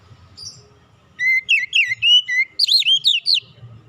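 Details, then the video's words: Oriental magpie-robin singing in a relaxed style to spur other birds to sing: a brief high note, then about two seconds of loud clear whistles, flat at first, then looping and rising-falling. "kicauan nyantai pancingan ampuh Kacer bahan cepat gacor"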